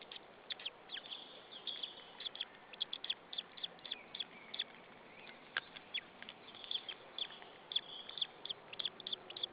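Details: Young white-tailed eagle on its Estonian nest at Saunja, spring afternoon of 26 April 2013, chirping to beg while an adult perches nearby: dense run of sharp high peeps, irregular and rapid, over constant hiss.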